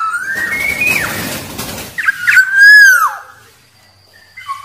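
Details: Black-naped oriole with a rising whistle that drops sharply, followed by quick short notes and a long mellow down-slurred whistle. Rustling noise is heard early on.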